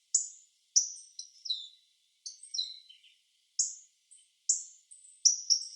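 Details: Hawfinch in Japan giving a run of short, thin, high calls that slide downward, some single and some in quick pairs, spaced irregularly over about six seconds in quiet surroundings.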